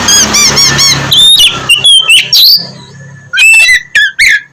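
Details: Oriental magpie-robin in vigorous song meant to coax lazy birds into morning singing; four harsh, nasal buzzy notes with a low hum open, followed by sharp whistled slurs, chips and a short high trill.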